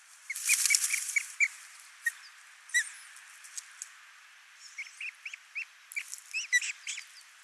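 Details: Ospreys at a nest in Finland, watched by a live nest camera on 22 June 2024 while a single chick is fed; scattered short, sharp, upslurred chirps over a hissing background.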